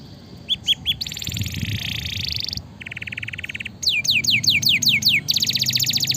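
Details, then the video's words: Canary singing vigorously, used as master song to stimulate lazy birds: short chirps, then rapid trills shifting between higher and lower pitch, then repeated sharp downward sweeping notes and a closing fast trill. "suara masteran dan pancingan burung kenari gacor"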